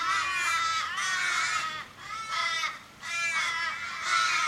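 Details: Distressed Australian ravens gathered around a dying mate struck in a Sydney suburban street, Kellyville, 1 July 2012. Loud harsh drawn-out caws with downward-bending tails come in long overlapping runs, with brief pauses between bursts.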